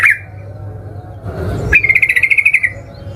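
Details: Yellow-vented bulbul singing as a lure to set other bulbuls singing: a single brief chirp, a soft rustle, then a fast buzzy trill of pulsed notes lasting about a second over faint hum.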